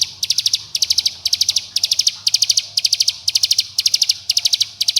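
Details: Bar-winged prinia calling companions and provoking rivals, used as a lure so young birds start singing. Dense 'bren' song of quick high-pitched clicking notes in short bursts of about five, repeating roughly twice a second without pause.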